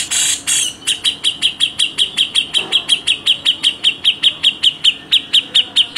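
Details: Grey-cheeked bulbul (cucak jenggot) in dense, rough rapid-fire 'tembakan' style for tutoring songbirds: a harsh opening burst, then a steady rattle of short sharp notes repeated about four times a second, with faint background hum.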